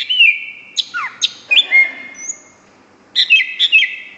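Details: A greater green leafbird gives a brief burst of song, whistled notes and swooping downslurs, then a pause before a few more chattering whistled phrases.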